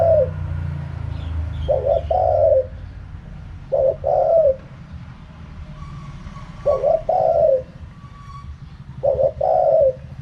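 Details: Spotted dove delivering wild-style 'karam pa' coos roughly every two and a half seconds, each a short note plus a longer falling hoot, over a steady low rumble.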